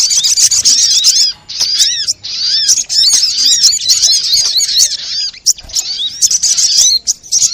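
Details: Sunbird lure sound used to attract birds and make them sing: a dense, loud stream of high, sharp chirps and squeaky downslurred notes, many overlapping, with brief pauses near 1.5 and 5.5 seconds.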